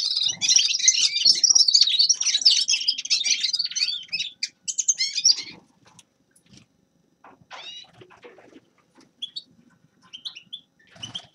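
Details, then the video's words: Grey-crowned goldfinch song: a rapid, tinkling high warble for about five seconds, then scattered short chirps and thin whistled notes over near quiet. "Седоголовый щегол Carduelis caniceps певчая птица"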